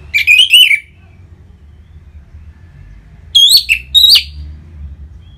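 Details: Orange-headed thrush in ngeplong singing style, used as a lure to set other birds singing and stir their emotion and breeding drive: two bursts of loud, clear whistled notes, the second burst higher and more abrupt, separated by a quiet pause of over two seconds.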